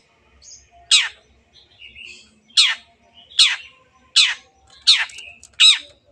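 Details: Lively long-tailed shrike song kept as a lure to prompt quiet birds to sing; loud rasping notes that sweep sharply downward come about every 0.8 seconds, with brief soft buzzes in the gaps.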